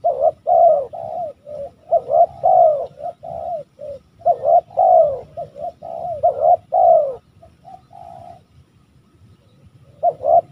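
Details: Spotted dove, West Java, cooing in a long run of rough, rolling phrases, clipped notes alternating with drawn-out downslurs, then a quieter tail and a brief silence before it resumes.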